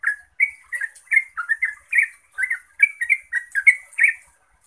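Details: Yellow-vented bulbul singing steadily to provoke other bulbuls into answering: a rapid run of short bubbling warbled notes around mid pitch, each with a bright upper overtone, delivered in quick succession for the whole stretch.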